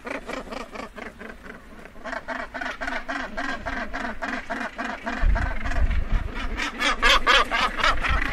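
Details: Close-up Northern gannet at the colony edge, where birds are landing and taking off: a long run of coarse, grating calls, about three a second, growing louder and busier toward the end, with a low thump midway.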